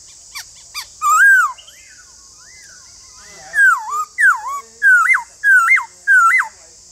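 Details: White-cheeked laughingthrush singing as a spur for caged birds: a loud swooping whistle, scattered softer notes, then five clear whistled phrases that dip and rise, repeated roughly every half second, with constant hiss.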